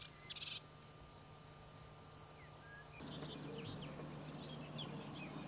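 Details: Melodious warbler singing in Corrèze, France: after three seconds of a steady high insect-like tone, a rapid, jumbled run of varied high chirps and twitters begins and continues, over a constant low hum.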